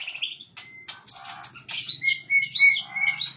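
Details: White-rumped shama singing on a fairly bright morning: varied phrases of short bright notes and a few sustained clear whistles, with brief pauses between bursts and a faint low hum behind.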